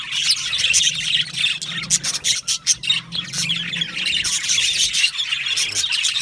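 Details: Flock of budgerigars in an aviary colony, rapid overlapping high chirps and scratchy squawks, with brief louder bursts of chatter standing out from the ongoing din.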